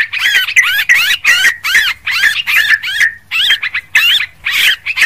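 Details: Yellow-vented bulbul calling noisily, recorded to lure birds: a steady run of harsh, wavering chirped notes, each a short bent whistle, repeated about three times a second with one brief gap.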